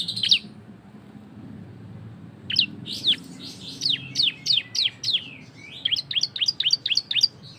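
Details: Ashy tailorbird (cisem) in loud ngebren song, played to prompt other birds to sing: after a pause, quick regular series of sharp high downward chips, roughly three per second, then a faster closing burst; low hum behind.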